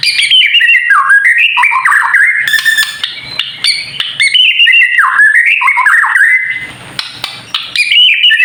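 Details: White-rumped shama singing a kretekan-style song used to provoke other shamas into singing: rich, rapid whistled phrases that jump and slur up and down, with crackling rattles in between and a faint steady high whine behind.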